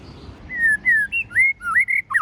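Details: Singing white-rumped shama in the forest voice: a sequence of sweet, sustained whistles that slide up and down, rising notes alternating with level ones, the last few quicker and broken.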